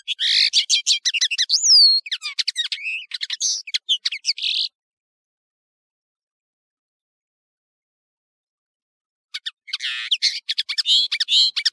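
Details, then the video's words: Two phrases of European serin song on a training tape: nearly five seconds of rapid, shimmering, wiry jingling with a sliding whistle, a long pause, then another dense, buzzy trill. "تغريد طائر التفاحي"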